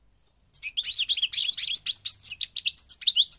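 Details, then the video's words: Moroccan parva goldfinch from North Africa giving a fast, tinkling song phrase after a short silence: a tumbling run of sharp, twittering notes and quick slurred chirps, steady and lively to the end. "The Goldfinch's Song North Africa - Parva Morocco Bird Song"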